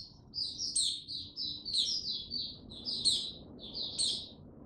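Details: White-eye (mata puteh), a male gaining confidence before opening into full song, 6 March 2022; bright, high twittered phrases broken by sharp upward chips about once a second, over a soft low rumble.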